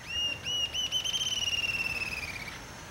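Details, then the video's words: Rufous-tailed jacamar (Galbula ruficauda) in Brazil: a few high, thin whistles, then a fast, accelerating series of piping notes that trails off slightly over about two seconds. "Canto Ariramba-de-cauda-ruiva(Galbula ruficauda)"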